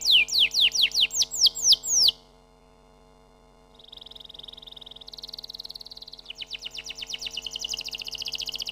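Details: Canary song opens with a run of steep falling whistled notes, breaks into a brief silence, then resumes with a sustained buzzy trill that shifts higher and becomes a rapid pulsing roll.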